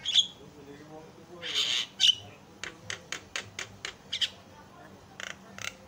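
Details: Javan myna song from a training recording meant to make other mynas sing: a clear whistled note, a rasping burst, then a fast irregular run of sharp clicks and short scratchy notes.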